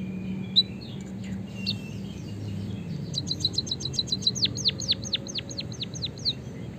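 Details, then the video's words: After a quiet, noisy start, a white-headed munia breaks into a quick series of high, steeply falling chirps preceded by rapid twitters; used to coax kept birds into song. "suara kicauan burung emprit kaji gacor"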